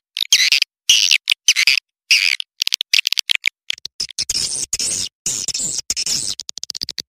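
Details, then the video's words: Swiftlet calling sound used as a lure to draw in swiftlets: broken bursts of high, thin chirps and twitters. Scratchy clicks run between the bursts, and the chirping becomes denser toward the end. "Suara Burung Walet Panggil"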